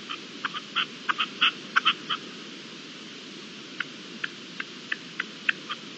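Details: Red-legged partridge calling at dawn on 18 April 2021: a quick run of short, harsh clucking notes, then softer, sparser single notes spaced about half a second apart over a steady hiss.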